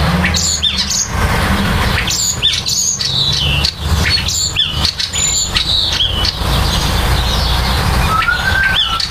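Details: Starlings at nesting time, building a nest: a busy mix of short squawks, sharp upslurred and downslurred whistles and chatter, ending with a drawn-out level whistle, all over constant low-pitched background rumble.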